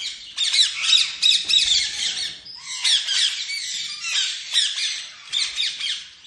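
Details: Lovebirds giving shrill, scratchy squawks in rapid clustered bursts, broken by brief gaps, loud and harsh.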